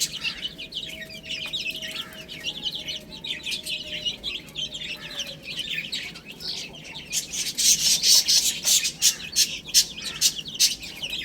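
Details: A group of chicks feeding on spinach. Soft continuous peeping turns into louder chirps mixed with rapid sharp pecking taps near the end.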